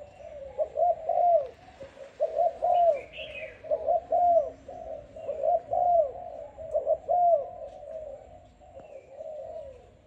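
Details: Selected young Spotted Dove of Malaysian type, caged about five days and calling strongly: clear, low, hollow coo phrases repeated roughly every one and a half seconds in a steady rhythm, with a brief higher chirp early on.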